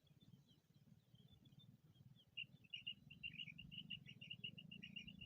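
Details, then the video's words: Female common quail (madi batair) calling, a quick run of soft, paired high notes, about a dozen in three seconds, over a steady low rumble; Pakistan. "The best call of the red female quail // Madi batair ki awaz"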